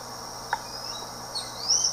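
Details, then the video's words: Barbudo-rajado (puffbird endemic to Brazil) song: thin, high, rising whistles, with a steady insect hum behind; crescent-chested puffbird. "Barbudo - Rajado - Canto"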